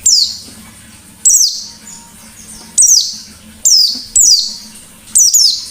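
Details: White-eye in energetic ngalas song used as a lure: six piercing high bursts with fast downward slurs, some coming in quick pairs, against a faint humming background.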